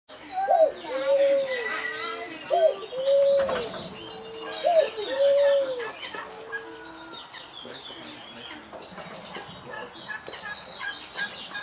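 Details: Barbary dove (Streptopelia risoria), possibly domestic, displaying in an aviary at city farm De Hout, Alkmaar, Holland. It gives three coo phrases about two seconds apart. Each is a short rising note and then a long, steady, mid-pitched coo. Small birds chirp high in the background.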